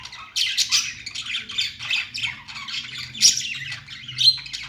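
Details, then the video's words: Budgies singing: dense, scratchy chattering warble of rapid chirps and squawky notes, with bright bursts near the start, middle and end over a low steady hum. "Budgies singing"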